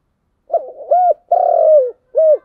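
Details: Spotted dove singing in the 'giọng đồng' style: one full phrase of a stuttering start, a short rising-falling coo, a long buzzy drawn-out coo and a last short rounded note, in complete quiet.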